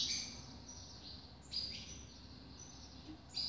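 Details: A newly acquired captive double-collared seedeater gives bright, high, buzzy phrases in short bursts about every one to two seconds, over a low background hum.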